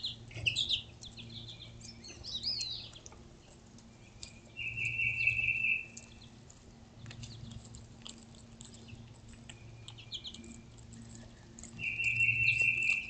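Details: Birds call near fallen seeds being eaten by squirrels in a calm outdoor setting. High chirps open the passage, then two dry, buzzy trills sound about seven seconds apart. Faint clicks and patter fill the gaps.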